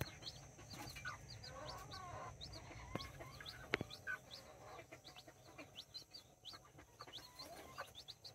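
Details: Backyard brood of nine chicks, mini and Brahma, kept with two hens: many short, high, downward-slurred peeps repeating quickly, with a few faint lower clucks and sharp taps.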